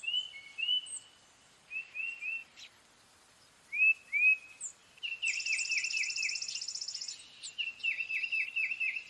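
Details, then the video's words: Tufted titmouse giving short, clear whistled slurs, then a fast run of repeated down-slurred notes under a thin, buzzy rasp. "Tufted titmouse call / song / sounds"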